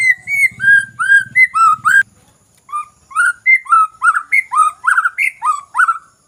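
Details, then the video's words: ['Lure song of the white-rumped shama to coax a bird that rarely sings. Whistled phrases with sliding notes, a short pause, then a quickening run of bright notes. A low rumble sounds at the start.'] "Pancingan MURAI BATU Bahan Malas Bunyi Paling Cepat direspon"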